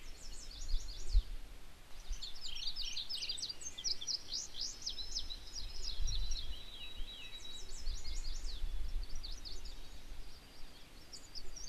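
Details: High, jerky phrases of sweeping paired notes repeat with short gaps from a male Indigo Bunting holding territory in a regenerating Maine clear cut, over steady low rumbling background noise.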